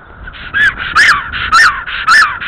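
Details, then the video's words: Black stork at its nest in Estonia, 17 April 2014 around midday, calling loudly on returning: harsh rising-and-falling nasal notes repeated about twice a second, over a steady hum. "Black Stork Nest ~ Tiina came back with a loud calling."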